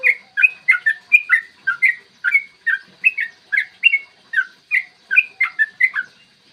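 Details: Yellow-vented bulbul's morning 'ropel panjang' song, a lure to make bulbuls sing and fight; even, rhythmic string of bright warbled chirps repeated roughly every third of a second for over six seconds.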